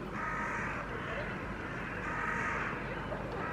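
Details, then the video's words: Hooded crows gathered on an apartment building rooftop in Helsinki, Finland, July 2024, calling to another group on a rooftop about two hundred metres away; two harsh, rasping caws about two seconds apart over a steady urban hum. "Hooded Crow interaction, vocalizing"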